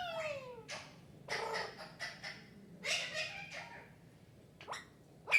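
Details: Parrot talking, "Mithu Mithu"; an opening falling harmonic phrase followed by scattered raspy, speech-like bursts and brief clicks, with quiet pauses between them indoors.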